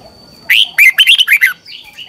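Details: Red-whiskered bulbul, morning training song used as a lure for other birds: one lively phrase of five or six quick, slurred whistles, rising then falling, lasting about a second.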